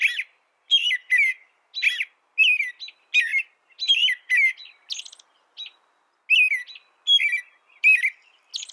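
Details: Song of an American robin, a steady run of brief warbled phrases, slurred and bright, delivered roughly one or two per second with short gaps, some phrases pitched higher and squeakier than others.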